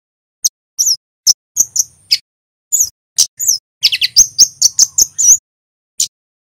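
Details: Scarlet-headed flowerpecker (kemade), a Javan male in full song. It gives scattered single high 'cit' notes, then a faster jumble of sharp chirps and thin slurred whistles, then a last isolated chirp.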